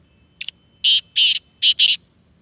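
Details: Black francolin, called Sindhi Kala Tetar, giving one loud grating phrase of five notes: a brief clipped opener, two drawn-out harsh rasps, then two fast scratchy notes close together. Crisp and high-pitched against a faint low rumble.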